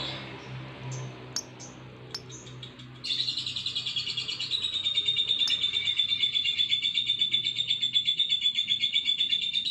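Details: Lovebird singing: a few scattered sharp chirps, then a long, unbroken high trill of rapid pulsed notes that holds steady in pitch to the end, with a faint low hum behind.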